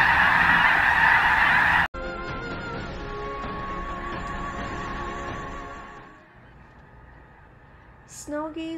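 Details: Snow geese, a flock of over 50,000 wintering birds in the San Joaquin River delta near Sacramento, California; a dense roar of honking gives way to steady musical tones, with a few clear nasal honks near the end.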